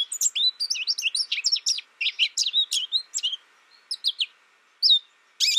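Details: American goldfinch delivering fast, high twittering chirps that thin out into sparser single notes after about three and a half seconds, ending with a sharp loud call.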